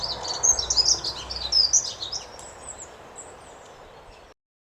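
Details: Soft melodious song of a dunnock, a discreet bird of gardens and hedges: a fast, high, scratchy warble lasting about two seconds, then fading into quiet hiss.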